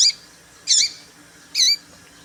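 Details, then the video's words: Female papa-capim seedeater call, used to excite males: three short, sharp, high chirps about 0.8 seconds apart, each with a brief lower trailing note, over a quiet background. "Piado de Fêmea de Papa capim pra Esquenta papa capim"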